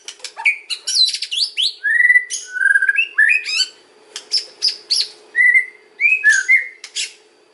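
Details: White-rumped shama giving kretekan and ocean song to provoke other shamas into answering: rich, loud whistled notes and rising slurs, interspersed with brief harsh chatters, in punchy repeated phrases.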